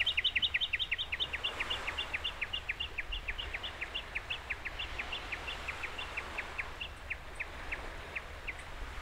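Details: Japanese bush warbler on Oeyeondo island, Boryeong, South Chungcheong, Korea, on 3 May 2023: a long run of sharp, high, down-slurred notes, about three a second, gradually fading, over a low background rumble.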